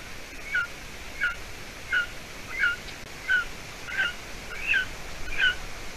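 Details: Golden eagle nestling, hatched 9 May 2020, calling at its Latvian nest on 30 June 2020 at evening; eight clear, high, slurred chirps at a steady rhythm, growing slightly more strident toward the end.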